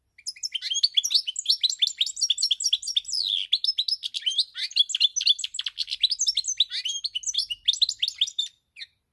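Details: Lively, continuous song from a European goldfinch on 10 November 2019: tumbling high-pitched twitters, buzzy notes and liquid chirps run almost nonstop for over eight seconds.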